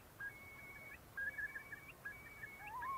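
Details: Eurasian curlew in spring on breeding meadows and moors in Britain, giving clear, drawn-out whistles that tilt upward at the ends, about once a second, with a final rising whistle; faint room hum underneath.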